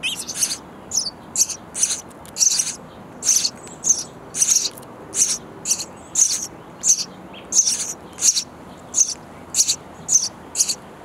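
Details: Hungry baby sparrows in a bird house nest chirping loudly as parents bring insects; a long, insistent run of about twenty high, scratchy chirps, evenly spaced around two per second.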